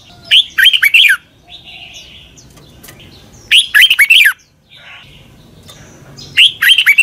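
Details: Red-whiskered bulbul singing the doubled southern master song used to teach birds: three rapid phrases of clear, bubbly whistled notes, spaced roughly three seconds apart, with faint background hum.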